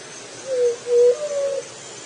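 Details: Juriti dove singing a low, hollow three-note coo: a short falling note, a steady mid note, then a longer, slightly higher held note, over a quiet hiss.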